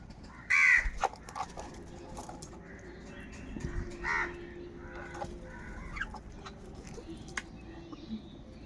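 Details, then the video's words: Crows in a big flock fighting over food: one loud, harsh caw near the start, then fainter scattered caws and short calls from other crows, with low background noise throughout. "Huge numbers of Crows crowing and crying sounds | Kaka sound and noises of Crow birds"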